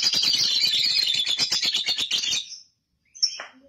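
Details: Ngekek long chatter from a young lovebird, used as a lure to set others chattering: a dense, harsh, high trill of quickly pulsed notes for about two and a half seconds, a pause, then a single sharp chirp.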